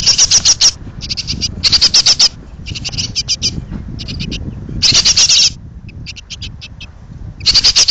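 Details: Several hungry great tit nestlings about to fledge call from a pollard willow: harsh, rapid, high chatter in bursts of differing length, louder runs alternating with quieter ones, across eight seconds.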